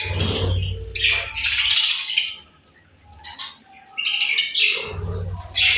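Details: Noisy bursts of scratchy chirping and chattering from playful birds, with a quieter gap in the middle and low thumping underneath.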